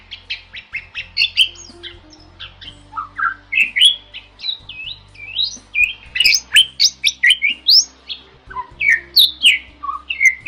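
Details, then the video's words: Rich, varied Bali myna song used as masteran: a long rambling stream of whistles, rising and falling slurs and harsher squawky notes, dense and fast, with louder bursts in the second half. "MERDU KICAU JALAK BALI YANG SEMAKIN LANGKA DI HABITAT LIARNYA - MASTERAN JALAK BALI"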